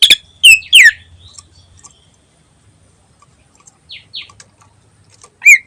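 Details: Greater green leafbird in energetic 'gacor ngentrok' song used as a lure for other birds: a few loud slurred whistles with harsh overtones near the start, a quiet gap, faint high notes, then one more bright call at the end.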